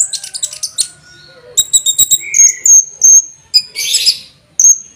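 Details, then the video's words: Olive-backed sunbird singing a master song with cucak jenggot flavour for training cage birds: rapid high twitters, then long, pure, high whistled notes, one burst of harsh chatter, and a last whistle. "KONIN MASTERAN ,Rasa Cicak Jenggot"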